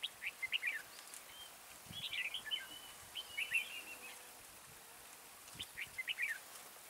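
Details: Red-whiskered bulbul used as a decoy to lure wild bulbuls into a trap, singing short warbled, chirping phrases in four bursts roughly every one to two seconds over faint background hiss.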